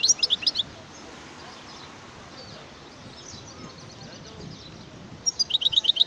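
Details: European goldfinch song heard as two short bursts of quick, high, tinkling repeated notes, one at the opening and one at the close, with a low background hiss between them.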